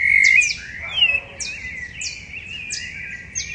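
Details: Rufous-bellied thrushes singing before dawn on 10 September 2012 in Curitiba, Paraná, Brazil, taken with a Sony digital recorder. Warbled mid-pitched phrases slide and wander, while a rapid series of high, sharp chips from other singers runs above them.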